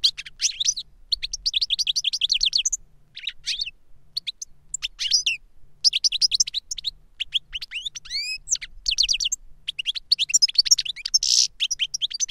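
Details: Captive European goldfinches, a master singer and the young novice it taught through a recording of its song, performing 'reclamo' song: long runs of rapid ticking trills, rising curved whistles and tinkling twitters with brief pauses, otherwise quiet.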